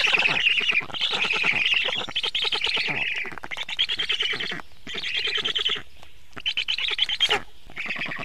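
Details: Evening feeding at a black stork nest on 24 June 2017: grating, buzzy calls come in separate bursts of about one to two seconds, separated by brief quiet spells.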